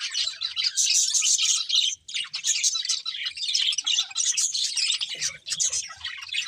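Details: Budgerigars warble as they feed in rushing, high-pitched, buzzy phrases. The song breaks briefly near the middle, and soft low rustling is heard toward the end.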